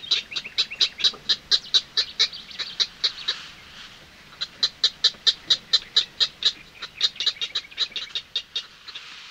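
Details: Purple heron chicks bill-clicking and calling: rapid clicking and chattering, about two a second in uneven bursts with a short lull midway; a nightingale sings in the distance.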